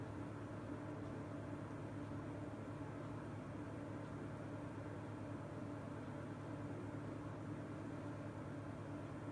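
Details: Quiet, steady machine-like hum with low background noise throughout, and no calls from any animal.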